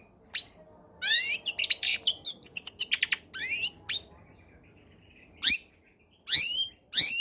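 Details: Long-tailed shrike song from a combination recording played to stir lazy shrikes into singing: fast rising sweeps and trills building into a jumbled chattering phrase, then isolated sharp swept notes against a low background hum.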